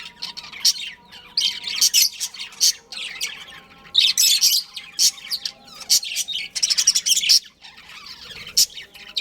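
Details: Two budgies, a breeding pair, warbling and chattering in loud clustered bursts of high squeaky notes, broken by short quieter gaps, with a faint low hum behind.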